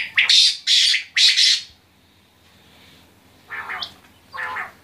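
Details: Quail calling: three loud, harsh, buzzy bursts in quick succession, then a pause and two softer raspy notes, over a quiet background.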